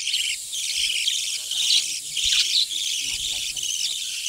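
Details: High, continuous chirping and warbling from a breeding budgerigar colony, dense and unbroken, with faint low knocks underneath.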